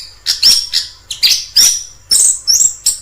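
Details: Orange-headed thrush singing in the wild: short bursts of high, sharp chirped notes with thin whistled slurs, phrases spaced roughly half a second apart, no other sounds.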